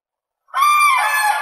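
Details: Common crane: a single loud, harsh, rolling trumpet note with strong overtones begins after a short silence and holds steady.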